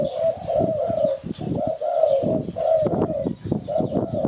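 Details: Spotted dove cooing, played as a lure for catching birds: a run of soft, low, mellow coos in short phrases, often paired, under dense crackling and clattering background noise.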